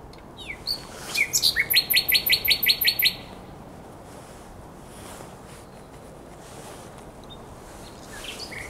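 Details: Common nightingale at the Żerań Canal, Poland, 23–24 April 2022, night: a brief whistled lead-in followed by about ten loud, evenly spaced repeated notes, then several seconds of quiet background.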